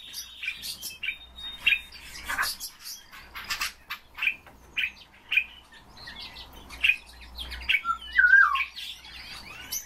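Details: Kept common starling in varied song: spaced clicks and harsh squeaky notes, crackling bursts, and near the end a warbled looping whistle, over a soft low hum.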